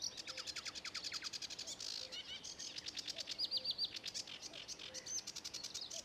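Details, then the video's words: Singing sedge warbler at Ilmatsalu on 26 May 2017, a lively varied medley of fast ticking rattles, harsh buzzes and repeated whistled phrases, constantly changing pace over several seconds. "Kõrkja-roolind laulmas / Sedge warbler singing"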